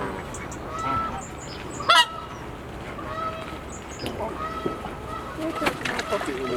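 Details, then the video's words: A Whooper swan staying several weeks in 2020 at Attenborough Nature Reserve. It gives honking calls, including one sudden loud harsh burst near the middle, among softer nasal notes and faint high chirps from other birds. "Whooper swan"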